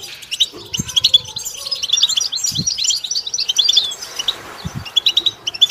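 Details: Goldfinch song for training a bird to sing: lively high twittering chirps and quick trilled phrases, with a few dull low thuds underneath.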